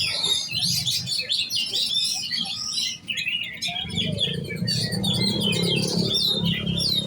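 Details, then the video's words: Competition-prepared young oriental magpie-robin delivers a rapid medley of chirps, whistled slurs and buzzy trills in an unbroken stream, with a brief dip midway. Steady low background noise grows louder in the second half. "Burung kacer giras set lomba kejar on ngunci"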